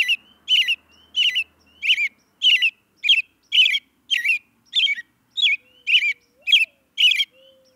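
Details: Steady series of about fourteen buzzy, scratchy chirps from an American robin, nearly two per second, with short thin whistles between them and faint low tones toward the end.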